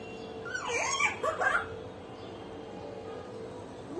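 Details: Pet common hill myna making crying and laughing sounds: a single quick jumble of squeaky, whimper-like syllables lasting about a second, followed by quiet hum.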